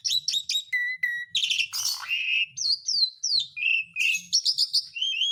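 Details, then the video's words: Asian pied starling song used to prompt quiet birds to sing: a series of short repeated notes, a low steady whistle pair, a harsh burst, then gliding whistles and rapid chattering notes. "BURUNG MALAS BUNYI JADI GACOR LAGI (JALAK SUREN)"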